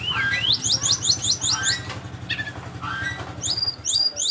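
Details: Flycatcher singing a fast run of about eight sharply rising upslurred notes, a brief pause, then more slurred and high whistled notes, with a steady low throbbing pulse running underneath.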